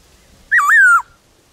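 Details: In the forest, a wild black-throated laughingthrush sings a single loud, pure whistled note that wavers, then slides slowly downward, in otherwise quiet surroundings.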